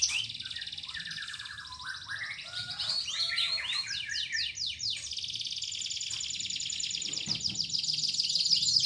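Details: Full-voiced canary song played to encourage canaries that have gone quiet to sing again: dense, buzzy high trills and sweeping notes that keep changing, over a soft background hiss.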